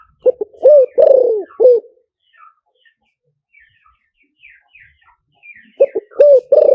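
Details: Low mellow spotted dove coo phrase used as a decoy call, 'liu tan' style: clipped opening notes, a long descending coo and a short ending coo, then a quiet gap with distant small-bird chirps before the next phrase begins.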